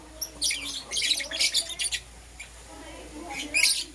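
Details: Lovebirds, Euwing Green Opaline and Lutino, in the morning: harsh, scratchy squawking chirps run together for about two seconds, a quiet pause, then another raspy burst.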